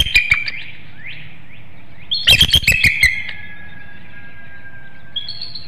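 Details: Bald eagle pair at a nest webcam in Hanover, Pennsylvania, 6:55 a.m. on 13 March 2019, the female incubating eggs as the mates exchange calls before swapping duty: thin rising whistles, then a burst of rapid high chittering notes fading into a drawn-out whistle.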